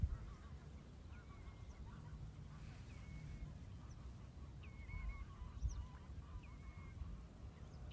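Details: Black-winged stilt at Hania's Polder in the Nieuwe Dordtse Biesbosch, filmed through a spotting scope. Short, flat, nasal notes repeat roughly every one to one and a half seconds, with fainter lower wavering calls and a steady low rumble behind.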